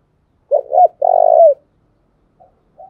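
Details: Decoy spotted dove calling to lure wild doves: two quick, rising low notes and a full, steady coo that falls at the end, then two faint coos.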